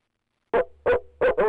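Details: After silence, the male barred owl calls from the nest box with four loud low hoots, the final pair blurred together and richer in tone.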